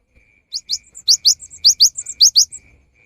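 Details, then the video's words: Cinereous tit singing in the afternoon, a song said to prompt other tits to join in: paired high, thin, rising whistled notes repeated rapidly for about two seconds, over a steady faint high background tone. "Kicau gelatik batu di sore hari ini bisa memancing gelatik lain untuk ikut berkicau"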